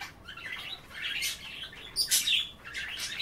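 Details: Pet budgies chattering while nibbling kale at bath time; continuous warbling, scratchy babble with a few clear, higher whistled notes and sharp chirps.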